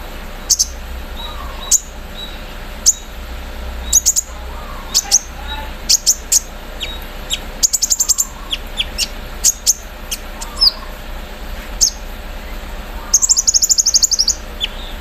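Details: Caged Van Hasselt's sunbird singing in the morning dew, its song filled with embroidery-machine mimicry: bursts of very high clicking ticks, thin whistles, and a fast rattling trill near the end, against quiet background chirps.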